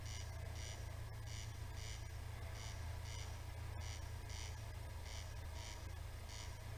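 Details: Corn crake singing at night: faint, dry rasping double notes repeated roughly every half second, heard at a distance over a steady low hum.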